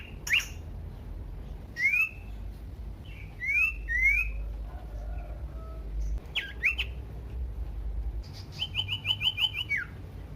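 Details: Common iora lure song to set other ioras singing: scattered sharp rising-and-falling whistles with gaps between them, then a rapid trill of about seven upslurred notes dropping away at the end.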